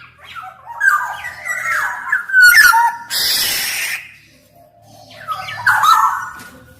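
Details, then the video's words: Black-naped oriole in active song. Liquid whistled phrases with sharp slurs are interrupted by a loud, hissing noise burst of about a second, then end with a rough whistled phrase. "Kicau Suara Kepodang Emas Gacor"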